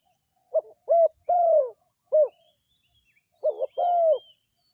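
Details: Dove giving soft, low coos in loose clusters: short notes and a long, drawn-out falling coo, then a pause before another short-long pair.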